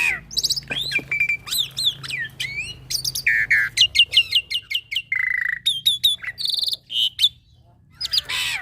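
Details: Young black-winged myna giving a full-fill training song, a busy run of sharp chirps, upward-sweeping whistles and short buzzy notes, loud and high, with brief pauses between phrases and a low background hum.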